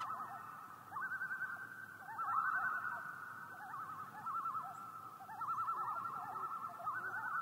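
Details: Tremolo calls of common loons heard across Yellowstone Lake: rapid, yodel-like quavering phrases rising and falling, several loons overlapping in a long chorus that swells and fades over seven seconds.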